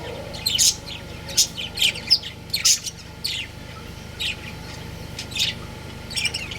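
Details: A breeding pair of budgies chirps in a lively cluster early on, then more sparsely: sharp high notes tumbling closely together before thinning out, with low hum beneath.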